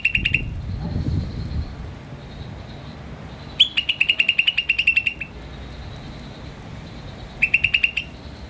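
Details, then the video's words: High, sharp chirps from a green starling come in three bursts: a short one, a longer rapid string of a dozen notes, then a brief final run, with quiet gaps between. "Green Starling Chirping Sound"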